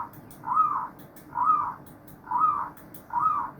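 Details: Zebra doves singing together in a chorus, with overlapping warbled coo bursts repeating roughly every second over a low background murmur.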